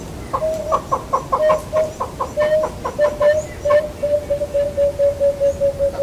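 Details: A Southern yellow-billed hornbill in Kruger National Park gives a long run of hollow, clucking notes, about four or five a second, steady in pitch and running on into a smoother series.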